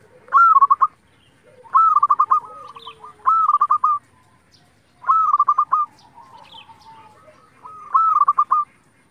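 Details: Local zebra dove, a keen singer, used as a lure to provoke other zebra doves to sing; loud phrases open with a held coo that breaks into rapid stuttering beats, repeated about every 1.5 seconds, with softer cooing from other doves between.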